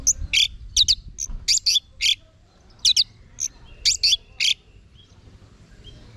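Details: Anis merah (orange-headed thrush) singing ngeplong for training kept birds: clusters of quick chirpy notes in short bursts separated by pauses, fading out near the end over soft low background noise.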